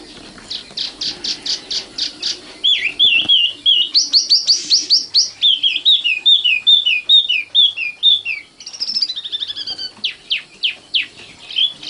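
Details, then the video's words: Common nightingale (Luscinia megarhynchos), young, singing a long rich phrase: a rapid series of high piping notes, then loud fast stuttering trills of repeated slurred notes, ending in sharp separated chirps. "kicau burung sikatan londo matal"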